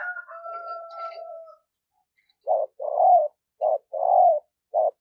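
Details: Spotted dove kept as a decoy bird during daily voice training, its song used to stimulate and train decoys: a drawn-out tonal call with overtones, then low, hollow coos in a short-long-short-long-short rhythm.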